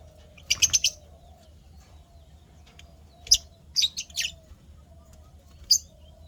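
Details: Happy lovebirds kept as pets, recorded 12 May 2025, giving short bursts of shrill, harsh chirps in small clusters, the first group of three to four quick notes, then scattered single and paired chirps separated by quiet pauses.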